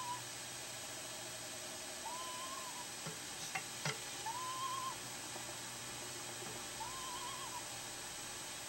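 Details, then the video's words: Female screech owl at a nest box holding five eggs, in duet with her mate: three soft, tremulous trills rising then falling slightly, spaced a few seconds apart, with a couple of sharp clicks and constant background hiss. "A screech owl calls"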